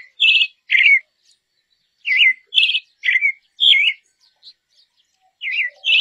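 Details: Dusky thrush, a winter migrant to Taiwan and southern Asia, giving short squeaky two-part notes, some trilled and some bending downward, in loose groups roughly every half second to second with brief silences between.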